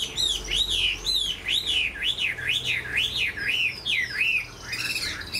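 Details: A large caged Chinese hwamei with a fine voice repeats looping whistles, each rising then falling, about two per second in a steady run. Softer notes trail off at the end, and a low rumble runs beneath.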